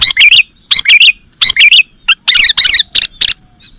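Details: ['Sooty-headed bulbul, a bird-catching lure: paired and tripled throaty chirps, loud and bubbly, in quick repeated groups over about four seconds.']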